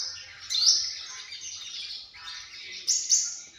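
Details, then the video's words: Sunbird giving thin, very high calls that run almost unbroken for nearly four seconds, with two sharper bright notes standing out near the start and again near the end. "tiếng chim hút mật"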